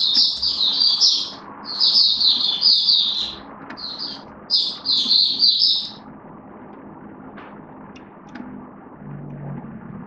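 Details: Hobby-kept oriental white-eye recorded 19 September 2022 sings bursts of fast high twittering phrases for about six seconds, then falls quiet, leaving low background hum.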